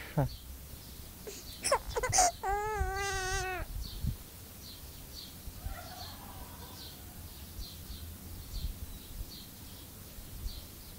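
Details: Myna that lived with a little baby boy imitating infant crying: a few sharp squeaks, then a wavering, nasal, baby-like wail lasting about a second, followed by quiet background with faint scattered chirps.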